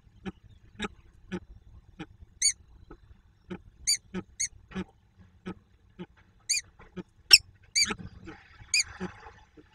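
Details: Soft quacking from a female peregrine falcon, Słupsk, 2 June 2022, during a nearly silent meeting: faint, spaced, nasal notes about every half second, a few louder and higher ones standing out.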